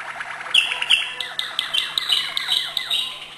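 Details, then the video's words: Malinois canary delivering high notes in a quick, uneven string of sharp chirps and short falling slurs, bright and ringing, against a faint steady hum. "malinois singing acute notes"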